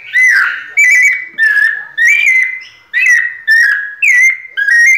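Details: Pianado singing from a caged, ringed White-necked thrush: a steady series of about eight loud, clear whistles, some rising and some falling, repeated roughly every half second.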